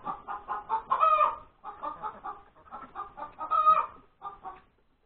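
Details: After laying an egg, a hen cackles on a Sunday morning, January 31, 2021. Rapid, choppy clucks build to two loud stretched squawks about two and a half seconds apart.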